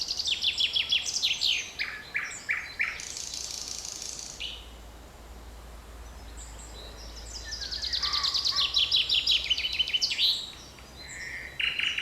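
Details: Birdsong in a forest on 7 May 2020: rapid high chattering phrases repeated in bursts, a quiet gap in the middle, then more fast twittering and a low steady hum underneath.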